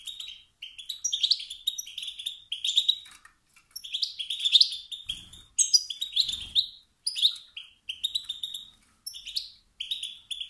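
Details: A male European goldfinch calls to spur rival males into singing by triggering competitive instinct; rapid, tinkling twitters in phrases of about a second, separated by short pauses, with two faint low thuds.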